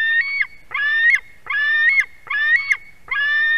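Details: Begging white-tailed eagle chick at a nest in Durbe, Latvia, during an adult's fish delivery on 31 August 2020; rapid, strained screams about one every 0.7 seconds, strident and continuous, with faint clicks.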